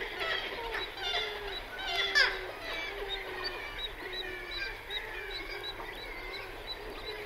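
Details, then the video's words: Black-legged kittiwakes calling in a colony on cliffs, with echo from the cliff face: many overlapping nasal, harmonic calls, some rising and falling, repeated continuously by numerous birds, forming a dense chorus. "Kittiwakes Calling MCU - MP In Colony On Cliffs. Echo From Cliff-Fac"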